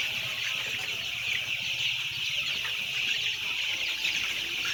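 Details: Thousands of white chicks, about 10000 in all, fill the air with a constant high-pitched peeping chorus of overlapping chirps.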